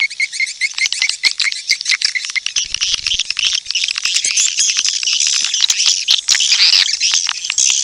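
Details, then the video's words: Swiftlet lure call for playback at bird houses, a 2023 recording. Continuous fast, high chattering clicks and twittering chirps build into a thick, buzzing wall of sound, steady and loud throughout. "suara panggil burung walet"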